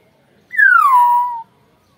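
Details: Young Nias hill myna, a pet bird in Indonesia, giving one loud, clear whistle that starts high and glides smoothly down to a level lower note, lasting about a second in otherwise quiet surroundings.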